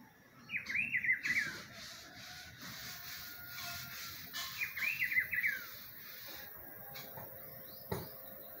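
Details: In spring, a rufous-browed peppershrike repeats a short melodious warbled phrase of tumbling whistled notes, heard twice roughly four seconds apart, with insect hiss and a brief click near the end.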